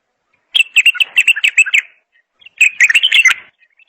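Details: Bulbul song given as two quick runs of sharp chirping and warbling notes, the first lasting about one and a half seconds, the second shorter, separated by a brief pause.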